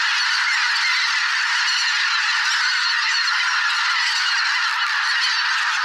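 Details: Mixed flock of migrating geese (greater white-fronted, bean, barnacle, pink-footed) numbering thousands in a swamp in spring, producing a continuous roar of layered honking and cackling calls that never pauses across the whole stretch.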